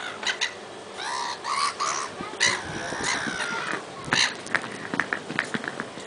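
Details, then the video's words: A couple of black-headed gulls at Lymington on 26 April 2010 in a squawking match, giving harsh, grating squawks and calling over one another in quick, uneven bursts. "Black Headed Gulls"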